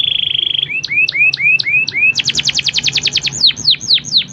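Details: Canary song meant for teaching young canaries: a fast rattle and steady whistle open, followed by rising hooked notes in a measured series, then a quick chip run and falling slurred whistles.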